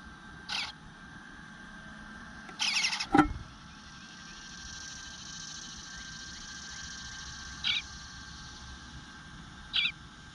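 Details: Eastern bluebird nestling at the nest whining and begging for food while going unfed for a while, recorded 25 June 2022 at 9:10am: four brief, raspy, hissing bursts over ten seconds, plus a soft knock and a faint steady hum.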